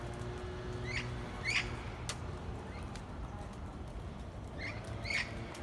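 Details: Neighbourhood parrots give short, sharp chirping calls in two pairs, one near the start and one near the end, separated by a quieter stretch with steady low hum beneath.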